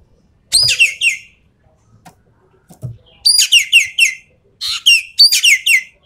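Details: Javan pied starling delivering full 'tembakan' song: three loud bursts of rapid, high whistled notes, each sweeping sharply downward, separated by short pauses with faint low knocks between.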